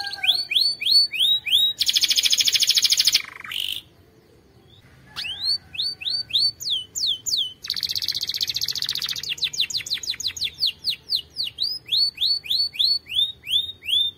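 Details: ['Powerful canary song used for training, with runs of rapid falling whistled notes, a dense high buzzy roll, a short pause, and then long series of repeated descending chirps at about three per second.']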